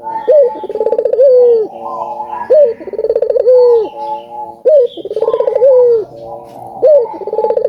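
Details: Albino collared dove (burung puter) cooing energetically as a lure to make other doves call; steady phrases every two seconds or so: a sharp upslur, a rapid rolling trill, then a drawn-out descending coo.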